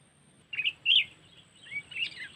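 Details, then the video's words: Sooty-headed bulbul call from Lampung, used as a lure for trapping: bright, slurred chirps and short warbled notes in a few quick bursts, with a faint steady hum behind. "Pikat Burung Kutilang Cengkeram"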